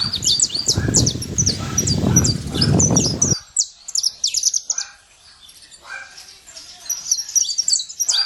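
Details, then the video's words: Wild saffron finch in nature giving high, quick chirps and short slurred notes in loose bursts, with loud low rumbling noise during the first three seconds, then quieter surroundings. "Canário da terra livre na natureza"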